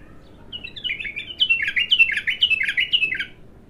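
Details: First song of an untrained abtar bulbul: a rhythmic phrase of bright slurred notes, each gliding downward, repeated about twice per second and swelling louder toward the middle, in a quiet setting.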